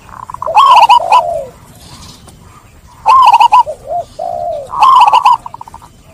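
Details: Zebra dove lure song for birds that have stopped singing after being trapped: three bursts of quick, bubbling, rolled coo notes, each followed by a lower drawn-out tone, separated by short pauses.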